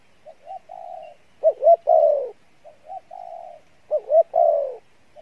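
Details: Spotted dove, song style locally called "Đồng Pha Bài Lối", noted for a good voice and fairly good cooing: two full phrases, each of soft short coos, a level hum, then two accented hooked notes and a loud falling drawn-out coo.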